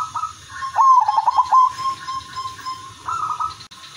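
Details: Zebra dove (silver udanmas) singing in a steady rhythm to draw other doves into song: a short opening note, a rapid trill of pulsed coos, a long flat tone, then a brighter closing phrase and a click.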